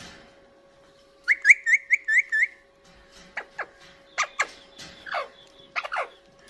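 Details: Indian ringneck parakeet kept as a pet, vocalizing while eating: a run of six quick chirpy notes with rising-falling pitch, then several harsh downward-sweeping squawks, over a steady electrical hum.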